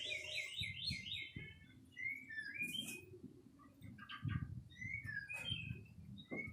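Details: White-rumped shama song of varied high notes: a quick rippling trill at the start, then scattered short whistles and chirps separated by pauses, with low thumps and room noise beneath.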